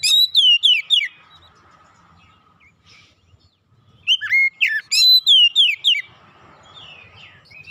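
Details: Kacer song for calming and restoring a stressed bird: bursts of loud, sharp whistled slurs in quick series of about six notes, separated by near-silent pauses with a faint steady hum.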